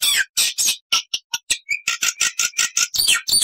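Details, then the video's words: Black-winged starling with loud, harsh, noisy squawks in a rapid series, roughly two per second, mixed with short whistled notes, loud and close. "MASTERAN JALAK PUTIH GACOR FULL ISIAN"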